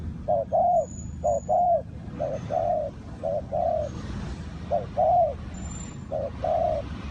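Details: Spotted dove at a bird trap in Ninh Thuận giving repeated two-part coos: a quick short note, then a longer rounded one, about once a second. Background hiss and faint high insect-like whines are present.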